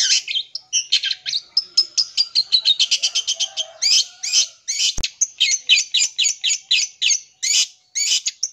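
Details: Full isian song of a long-tailed shrike, used to stir up young birds; quick high chirps speed into a fast rattling run, then sharp repeated notes about twice per second, with a click near the middle.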